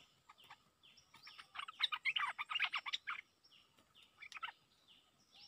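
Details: Cream-vented bulbul lure song in exchange with a resident bird: a rapid, chattering run of sharp bubbly notes for about two seconds, then a few scattered chirps, over faint repeated high swooping notes from other birds.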